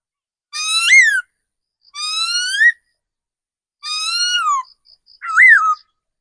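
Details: Forest decoy laughingthrush delivering four long, rich whistled notes about a second each, some rising, one falling, one up-down, with soft high pips repeating between them.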